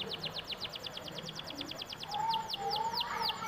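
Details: Song of a domestic canary used to encourage other canaries to join in: an even run of quick descending notes, slowing into wider-spaced slurred notes, with a faint low whistle and background hum underneath.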